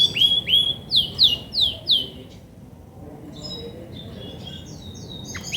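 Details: Female Belgian canary, grey and white, a prolific singer when ready to brood: four loud, clear downward-sliding whistled notes at an even pace, then near silence with a few faint high notes at the end.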